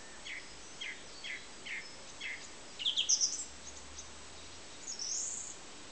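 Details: Song thrush singing: a faint, short note repeated about every half second, followed by a louder, rapid trilled phrase and a high, thin squeaky ending over steady background hiss.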